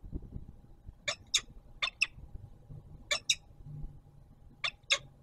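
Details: Peregrine falcon at the Palace of Culture and Science in Warsaw, Poland, as an adult brings dinner and a young bird takes it: short harsh rasping calls, mostly in close pairs, repeated about every one to two seconds over a low urban rumble.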